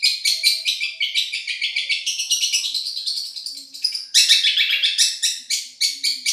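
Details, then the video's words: Tutoring song of a champion Madura long-tailed shrike: quick metallic chips in a regular beat, shifting into a busier tumbling warble of high twittering notes. "Masteran | Suara Juara Nih!!! Cendet Madura"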